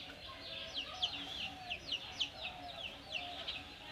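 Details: Pet myna that is trying to learn to speak, giving a run of short, squeaky chirps, about eight in four seconds, over a low steady hum and room noise.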